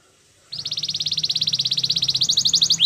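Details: Belgian canary training song: a steady pulsing trill about ten notes per second, slightly rising toward the end into sharper whistled notes.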